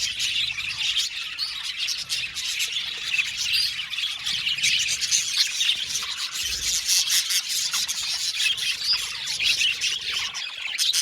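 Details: Colony of Australian budgerigars in an aviary, a crowd of birds chirping and singing at once, producing steady, bright, rasping chatter with overlapping squawks and quick tweets throughout.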